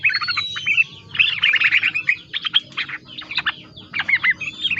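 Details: Yellow-vented bulbul singing a song filled with greater green leafbird phrases: rapid, varied chirps and squeaky whistled notes in short dense bursts, with brief pauses between them.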